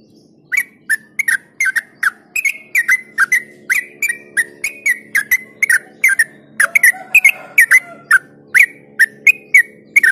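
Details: Yellow-vented bulbul singing, used as a lure to stimulate other bulbuls: rapid bubbly, liquid notes near the same pitch repeated about three times a second, each with a sharp click and a short gurgling slur, with a faint low hum beneath.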